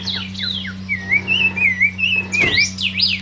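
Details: A hand-reared young thrush, held in the hand, sings clear whistled phrases: quick falling slurs, then a rolling, wavering warble. A low electrical hum and a brief handling rustle are also heard.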